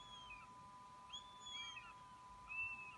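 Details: A young Northern goshawk that has already left the nest but returns to snatch food gives thin, high, downslurred squealing calls, three or four in a few seconds, over a steady electronic hum.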